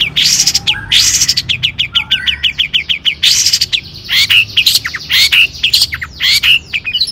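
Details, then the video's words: Long-tailed shrike in rich, varied song used to spur other shrikes to sing: a dense stream of harsh bursts, quick clicking trills and whistled slurs. "cendet gacor AMPUH TOET TOET PANCINGAN CENDET AGAR BUNYI"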